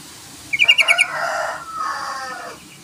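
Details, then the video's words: Yellow-vented bulbul calling to stir a rival to sing. There is a short run of five rapid, bright notes, followed by a softer, broad rushing sound. "BURUNG TRUCUKAN MEMANGGIL LAWAN❗❗❗SUARA TRUCUKAN MERANGSANG LAWAN UNTUK BUNYI"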